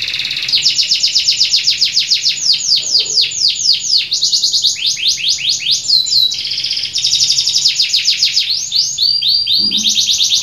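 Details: Canary singing vigorously in rapid runs of high, clear, sweeping notes, quick repeated trills and rolled phrases with brief pauses, loud and continuous with little background noise.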